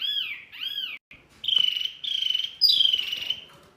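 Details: Songbird training recording meant to prompt caged shamas, magpie-robins, green leafbirds and starlings to answer: pairs of arched, slurred whistles, a brief pause, then three loud sustained trilling phrases with faint low rustling underneath.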